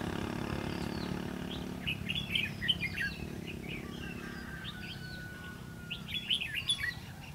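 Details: Red-whiskered bulbul at a trapping session, 11 November 2016: bright chirps and short warbled phrases clustered in bursts, with one drawn-out steady whistle midway, over low rumbling background noise and a brief hum at the start.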